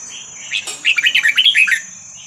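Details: A young wild Vietnamese red-whiskered bulbul gives a quick, bubbly run of about eight liquid whistled notes, rising and falling over a second, with faint hiss; the recording is played to train chicks.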